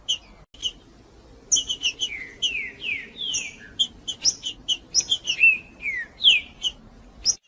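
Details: Green-winged saltator in a cage, its song used to warm up a cold bird; sweet descending whistled slurs mixed with sharp high chips, delivered in a steady string of phrases over a faint low hum.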